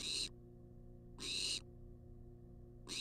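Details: Food-demanding wild barn owl recorded by a nest-box cam, giving loud, breathy snoring hisses in close succession, about one second apart, over a droning background hum.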